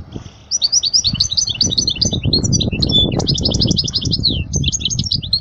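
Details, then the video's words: European goldfinch song for training young birds: continuous fast twittering and sharp high chirps in busy phrases, over a noticeable low rumbling and fluttering background. "أجمل تغريدة لطائر الحسون لتعليم الفراخ الصغار"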